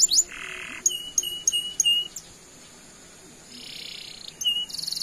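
A canary sings high chirps and sweeping whistled notes, then buzzy rolled trills around four seconds and a fast repeated rattle at the end.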